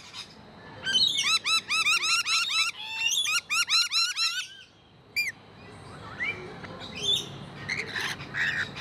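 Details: Rainbow lorikeets at Paradise Country wildlife zoo in Australia give rapid, harsh, metallic screeching chatter in fast overlapping bursts, then scattered shrill squawks from several birds.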